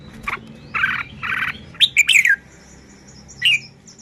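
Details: Red-whiskered bulbul in Thailand showing its song style: a short note, two harsh buzzy bursts, then a fast tumble of sweet descending whistles and one last whistled note.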